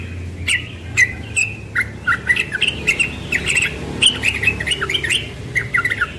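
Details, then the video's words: Young yellow-vented bulbul in ropel morning song, a continuous rush of bright chattering chirps and slurred notes, dense through the middle, over a low background rumble. "Trucukan muda ropel pagi"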